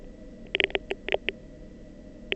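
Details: Chicken (Gallus gallus domesticus) embryo beak clapping inside the egg, made by rapidly opening and closing the beak: a quick run of about eight sharp, dry clicks in under a second, then one more. This is the first sound chicks make before hatching.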